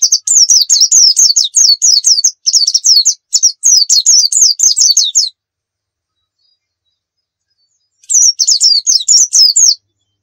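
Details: Long bursts of a white-eye's nembak song, used as a lure: fast, steady series of high, sharp, downslurred chirps over several seconds, a silent gap, then another rapid run of the same notes.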